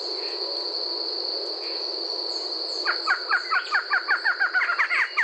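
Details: Song of a Barred Antshrike from Brazil, beginning abruptly midway as a fast, regularly pulsed series of short, hollow, downward-slurred notes that run to the end, over a constant shrill insect drone.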